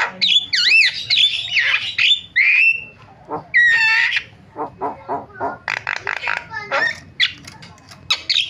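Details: Starling lure sound meant to set other starlings calling: looping, wavering whistles and a clear whistled note, then a string of short harsh chattering squawks.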